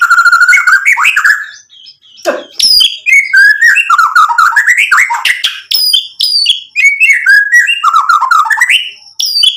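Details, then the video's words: White-rumped shama (murai batu) in continuous gacor song stuffed with filler material: a dense, varied stream of warbles, whistles and sharp high notes with few pauses. "MURAI BATU GACOR buat PANCINGAN agar BUNYI NYAUT emosi BONGKAR MATERI ISIAN | SHAMA BIRD"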